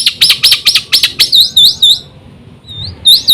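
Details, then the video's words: Black-winged myna singing full song to lure other mynas into singing: a run of quick bright chirps about four a second, then looping whistled notes that rise and fall, a pause, and more whistles. "suara burung jalak putih full isi sekali pancing semua jalak kaget gacor"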